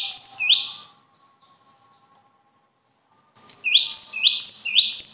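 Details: Bird singing high, sharp chirped notes that each swoop down and flick back up. A short phrase opens, then a long silence, then a quick run of four or five similar notes, with a faint steady hum behind.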